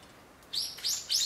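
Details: One of four Japanese white-eyes feeding and squabbling while the bulbuls are away, on 15 February 2013 just after snow had stopped, giving three thin, very high chirps that each arch up and down, about a third of a second apart.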